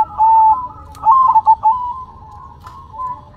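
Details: Zebra dove song delivered with head shaking: a long, level coo, then a short burst of clipped, stuttering notes, fading into quieter drawn-out cooing.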